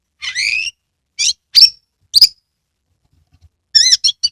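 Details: Caged kacer singing a lure song for birds that rarely sing: a buzzy rising whistled phrase, sharp high squeaks, a pause, then a few rippling descending whistles.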